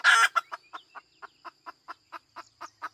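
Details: A hen opens with a loud, harsh squawk, then settles into a regular run of short clucks about four per second, steady in pitch and loudness.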